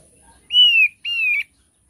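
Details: Two long, clear whistles from a thick-billed heleia, each holding level and then sliding slightly down, separated by a short pause.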